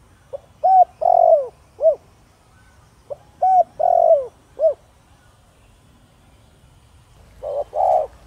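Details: Spotted dove of the Thổ Đồng voice style, cooing to provoke wild doves to respond: two mellow three-part phrases, a short note, a long rolling coo and a curved falling note, then a third phrase starting at the end, over quiet background.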